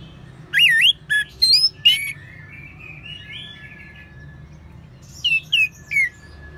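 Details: Song of an orange-headed thrush, played to coax other birds into singing: a few bright, twisting whistles and sharp chirps in quick succession, a quieter warbling passage, then three more clear falling whistled notes.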